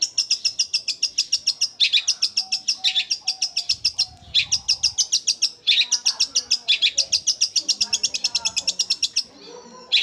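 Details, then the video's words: Long-tailed shrike's fast rolling 'sewing machine' song with sparrow-like notes. Nearly continuous ten-second stream of rapid harsh chips, several per second, in long runs separated by brief gaps. "Cendet suara gereja Kunti tembakannya seperti suara mesin jahit roll speed fighter"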